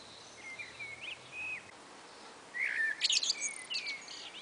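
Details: Common blackbird, one of a pair calling back and forth on a spring afternoon. A soft, faint fluted phrase comes first, then a louder burst of thin, high, scratchy twittering notes.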